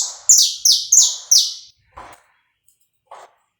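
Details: Saffron finch song recorded live and uncut, used to warm up the bird: four loud, high, sweeping buzzy notes repeated roughly every third of a second, each falling slightly, followed by two soft low chirps.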